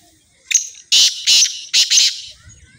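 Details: Black francolin calling: a loud, harsh, grating phrase of several rasping bursts, a short note followed by three longer scratchy ones, lasting under two seconds.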